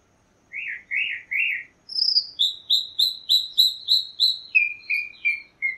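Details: Song of a chalk-browed mockingbird: three rising-falling slurred notes, then a fast run of about ten short, sharp repeated chips, ending in lower descending whistles.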